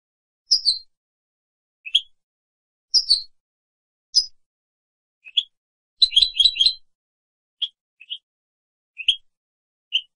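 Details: Goldfinch on a 2017 training recording for captive birds, giving scattered short chirps and sharp downslurred calls every second or so, with one quick twittering cluster in the middle; clean background.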